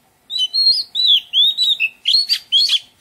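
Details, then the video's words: Oriental magpie-robin singing in a garden: a melodious run of clear whistled phrases, some rising, some falling, followed by harsher buzzy and scratchy notes, about eight phrases in quick succession with short gaps. "Oriental Magpie Robin - Melodious birdsong"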